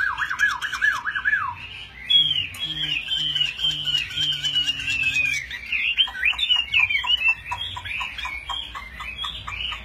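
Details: Chinese hwamei fighting bird in a fanning display, singing its full song with wings held high: looping, sharply rising and falling whistles, then a fast run of varied slurred notes and rapid clipped chips, with faint low voices underneath.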